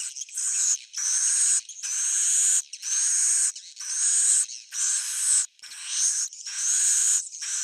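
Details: Swiftlet calling in an original old-style recording: a steady sequence of rasping, very high, drawn-out phrases, each roughly a second long, separated by brief pauses, with nothing else audible.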